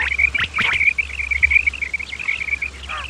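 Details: Common quail, male and female calls for luring birds during hunting: a quick run of bright, even, high-pitched notes running almost without pause, with a few harsh rising sounds near the start and a low hum behind.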